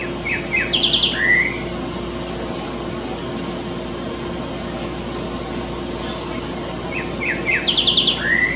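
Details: Green-winged Saltator (Saltator similis) gives two short song phrases about seven seconds apart: quick chipping notes, a rapid trill, then a rising whistle, over a steady low hum throughout.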